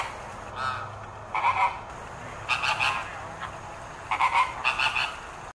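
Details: An American flamingo flock at Philadelphia Zoo in September 2023 gives nasal, goose-like honks in short double and triple bursts, several birds calling over a low background murmur.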